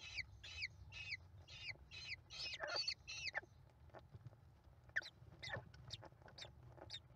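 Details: American kestrel chicks, five in the nest, calling as their mother feeds them on 28 May 2021; sharp descending squeals in quick bursts, then scattered single chips with quiet gaps and a low background hum.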